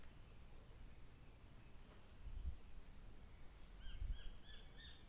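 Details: Male Japanese sparrowhawk (Accipiter gularis) calls: a quick series of sharp, high, slightly downslurred notes, about four per second, over steady low wind rumble.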